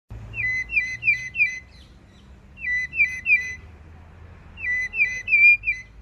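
Vulturine guineafowl giving three bursts of about four quick, high, metallic whistled notes, each burst lasting about a second with short pauses between, over a faint low hum.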